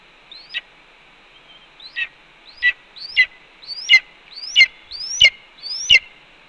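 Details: Red-tailed hawk calling at a Cornell nest on 4 May 2013, 1:29 PM, while its mate eats a pigeon after bringing two voles; eight whistled upslurs ending in raspy squeals, growing louder and quicker.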